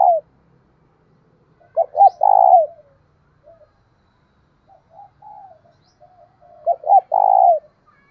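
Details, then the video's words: Captive decoy spotted dove luring wild doves with the thổ đồng style of voice. Two full loud phrases, each two brief coos ending in a sustained coo, are separated by gentle, muttered low notes and silence. "Chim Cu Mồi Kích Bổi Nhanh Nổi Hiệu Quả"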